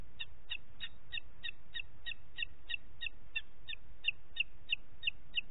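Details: Booted eagle in Parc Natural dels Ports, recorded 27 June 2021 at 09:06, giving a long run of about eighteen high, clipped whistled notes, roughly three per second and evenly spaced, over a faint low rumble.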